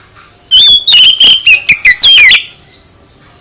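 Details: Loud, rapid oriental magpie-robin song used to provoke other birds, a tight burst of sharp chips and slurred falling whistles lasting about two seconds, fading into a faint thin whistle.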